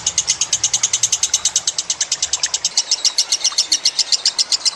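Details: Lovebird song for training cage birds: a fast sequence of sharp high chirps, about seven per second, with a low engine-like hum in the first half.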